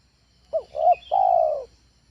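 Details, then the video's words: Single phrase from a spotted dove kept for training and luring: two short rising hoots run into a long, gently falling coo; a faint high chirp behind. "SUARA TEKUKUR AJARAN, SANGAT COCOK UNTUK PANCINGAN DI RUMAH"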